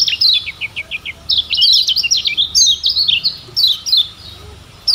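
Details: Lemon-bellied white-eye from Lombok, used as a tutor recording to make birds sing vigorously: rapid high thin chirps, then dense twittering phrases of quick up-and-down whistled notes, with short gaps and a faint low hum behind.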